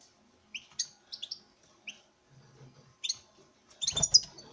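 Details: Male European goldfinch, captive-bred, calling to a female: a few sparse high twittering chirps, then a loud broadband rattle near the end, with quiet low hum in between.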